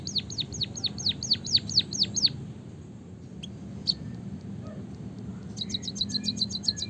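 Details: White-headed munia in full song with canary-like filler: a rapid string of about ten sharp downslurred whistles, then a near-quiet gap with a few isolated clicks, ending in a fast, very high ticking trill.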